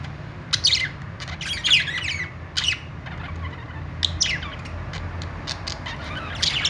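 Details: Several budgerigars making happy sounds: a busy overlapping stream of scratchy chirps and short squawks, some rising and falling quickly, over a steady low background hum.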